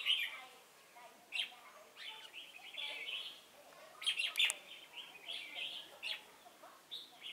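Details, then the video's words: At Chùa Hương, 28 November 2017, a red-whiskered bulbul kept as a trapping decoy gives short rich warbles and chirps, spaced a second or so apart, with a louder cluster near the fourth second. "Bẫy chào mào Chùa hương chơi mau mỏ"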